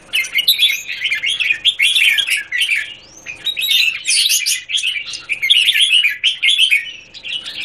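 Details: Red-whiskered bulbul singing from a square cage, recorded 17 Jan 2019, with almost continuous, fast jumbled warbling and chirps rising and falling across the whole passage.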